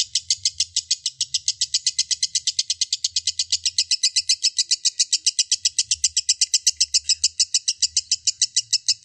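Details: A lovebird chatters in a long ngekek, intended to stimulate lovebirds to sing. Rapid high scratchy notes, nearly four per second, flow without pause, with a soft, patchy low hum in the background.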